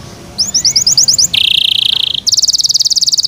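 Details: Yorkshire canary in captivity singing a short phrase of quick repeated chirps, then a flat buzzy trill and a brighter rapid pulsing trill.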